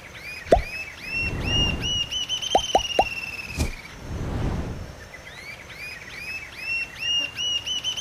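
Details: A Rufous-tailed jacamar sings a fast series of high, squeaky, upslurred notes and a drawn-out thin trill, punctuated by several low watery plops.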